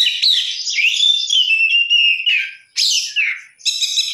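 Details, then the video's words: Oriental magpie-robin singing isian-laden gacor song: a long, sliding, fluty warble, then abrupt harsh bursts and a final pulsed buzzy phrase after short gaps. "kacer gacor isian mewah"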